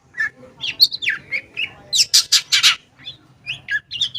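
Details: Long-tailed shrike lure song for shrikes that have gone silent: varied whistled slurs and chirps, then a cluster of harsh rasping bursts, ending with quick high notes.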